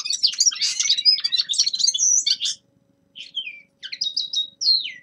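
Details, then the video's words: A young male common linnet in winter sings a quick, dry twittering run, pauses, then adds short phrases with clear, falling whistled notes. "Распевка Реполовов песня Carduelis cannabina birdsong"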